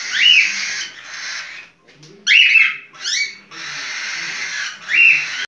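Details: Cockatiel in breeding condition giving mating calls: loud, harsh, rising whistled calls with a screechy edge, four bursts over about five seconds separated by short pauses, with a steady hiss throughout.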